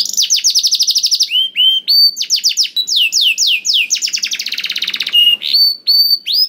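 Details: A canary sings to encourage other canaries into song: rapid high trills, paired lower whistles, quick descending sweeps and a long buzzy rattle, followed by spaced clear whistled notes; no background noise.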